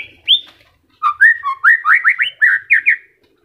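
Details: White-rumped shama singing during moult as its new feathers come in, caged bird: one rising whistle, then a quick run of slurred, upward-sweeping notes repeated in rapid succession, with faint background rustling.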